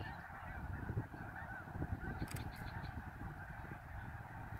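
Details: Snow goose flock at Middle Creek on 23 February 2019, many birds honking together in a dense, rough chorus over a low rumbling background.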